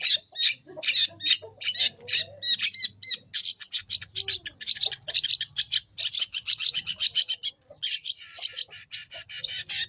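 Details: On Lombok, a long-tailed shrike sings to lure young wild shrikes. Rapid strings of harsh, rasping notes repeat several times a second, with a few short whistled notes early on, over a faint low hum.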